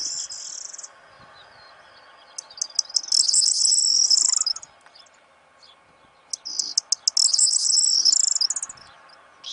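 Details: In the breeding season, a corn bunting sings close by to draw its mate's attention. A song tail is followed by two full phrases: accelerating dry ticks that run into a bright, jangling, key-like rattle, with short quiet gaps between phrases.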